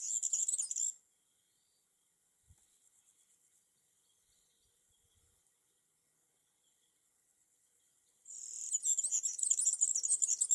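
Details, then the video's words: European serin singing in a tree in summer: a high, fast, jingling, scratchy twitter opening the recording for about a second, then near silence, then a longer shimmering burst of rapid notes near the end. "SERIN CINI joli chant"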